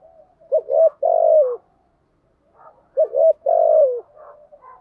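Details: Spotted dove used to lure wild doves: two phrases, each a quick double coo followed by a long mellow coo dropping at the end, quiet murmurs between.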